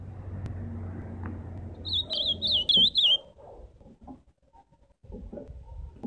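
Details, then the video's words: Ultramarine grosbeak singing live: a short phrase of about six high, rapidly warbled whistled notes lasting just over a second, preceded and followed by low background hum and faint knocks. "Canto do azulão ao vivo!"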